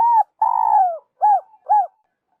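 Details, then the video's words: Spotted dove call, a lure recording for trappers: a short mellow coo, a longer drawn-out falling coo, then two brief rounded coos, all soft and low against silence. "Tiếng chim cu gáy dành cho ae đi bẫy"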